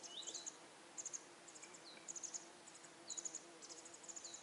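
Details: Masked wagtail fledglings, already out of the nest but unable to feed themselves, sit and screech for food while their mother searches for insects; thin, very high chirps come in short bursts about every second, with occasional lower down-slurred notes.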